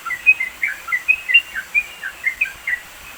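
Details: Sooty-headed bulbul from the mountains of East Java, Indonesia, captured as training song for songbirds; loose sequence of short sweet chirps and downslurred notes, irregularly spaced, fading at the close.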